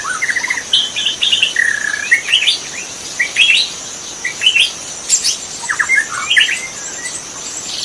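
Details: Forest magpie-robin recorded in the wild as song practice material: a steady stream of short whistled phrases and chirps, roughly one phrase a second, over a continuous high insect hum.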